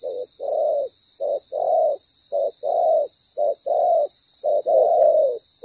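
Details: Decoy spotted dove with a good, loud voice calling during ground-decoy trapping, its paired coos here fuller and longer, short then drawn-out, repeated steadily over a persistent high hiss.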